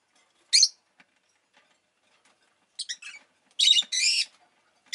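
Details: Pet rosy-faced lovebird giving shrill, harsh high chirps: one sharp note, a pause of two seconds, then a cluster of short squeaks and two longer grating screeches; otherwise quiet room.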